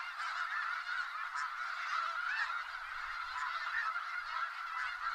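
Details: Distant snow geese flock in Skagit Valley, a continuous even roar of countless blended honks with no single bird standing out, faint low rumble beneath.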